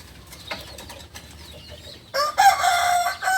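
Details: Balenggek chicken, a beginner crower and native chicken of Solok, West Sumatra, crowing: small birds chirp for two seconds, then the rooster's harmonic crow begins abruptly and holds in loud, stepped, slightly wavering tones to the end.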